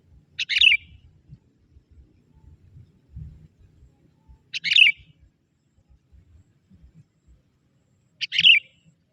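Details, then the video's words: Sooty-headed bulbul, a young forest bird used as a decoy to attract wild bulbuls, repeats a brief liquid chirp roughly every four seconds, three phrases with faint low rumble between. "Suara kutilang muda hutan memanggil burung kutilang liar!!"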